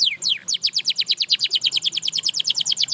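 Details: Canary singing to inspire other canaries to sing again: after a quick descending sweep, a steady tour of sharp downslurred whistled notes, about eight per second, on a quiet background.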